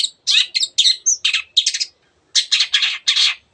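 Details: Long-tailed shrike in strong song mixing in other birds' voices: squeaky whistled notes and a thin high slur, then a run of harsh raspy bursts after a short gap.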